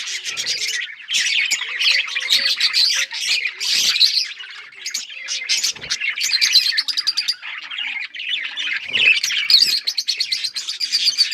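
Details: Pet Australian parrots in steady chorus: layered high chirps, warbles and chattering trills from many birds, sharp clicking notes every few seconds, the noise rising and dipping but never stopping.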